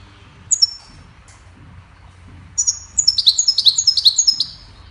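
A goldfinch gives a brief high tinkling note, then a rapid run of bright twittering, liquid chirps at about two or three notes a second, over faint low background hum.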